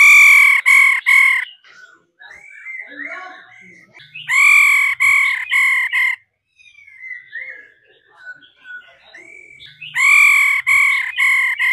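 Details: Stimulating female laughingthrush: three bursts of four harsh, loud, nasal calls, spaced about five seconds apart, with rich whistled warbling and slurred notes filling the gaps between them.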